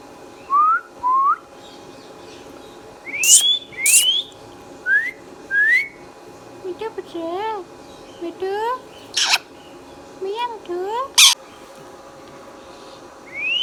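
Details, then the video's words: Green Indian ringneck parakeet kept as a talking pet indoors, giving a string of short rising whistles, sharp squeaks and wavering speech-like syllables spaced every second or so, with brief loud shrieks in between. "Indian Ringneck Funny Parrot Sounds videos | Green Ringneck Talking Parrot"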